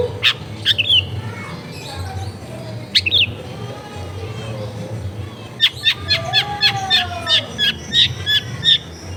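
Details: Long-tailed shrike (cendet) singing, used as a lure to get lazy shrikes singing, recorded at a home in a crowded area: a few sharp chirps, a quieter pause, then a dense fast run of high chattering notes.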